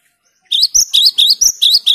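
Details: Bright, ringing gelatik batu song of the kind said to rouse opponents: evenly spaced sharp two-part notes, roughly five in each second, after a short silence.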